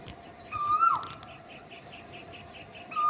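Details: Cuckoo giving one long, level whistled note that ends in a downward slur, then the start of another, while small birds chirp rapidly in the background over a steady hum.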